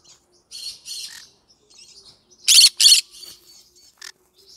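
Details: Yellow-sided green-cheeked conure singing, giving soft raspy chatter and then two loud, harsh back-to-back screeches near the middle, followed by quieter scratchy notes and a short sharp squawk.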